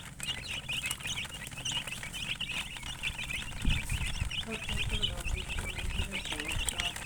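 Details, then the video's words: Chickens chirping, described as colour chickens: a dense, steady stream of high, short chirps overlapping throughout, with low rumbling background noise and a brief thump midway. "silly chicken chirping sounds with murgi hen color chicken"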